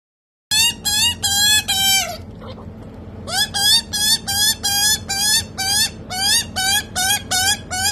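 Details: A young rescued Australian magpie being hand-fed begs with loud, nasal, wavering squawks, about two or three a second, breaking off briefly before starting again over a low hum.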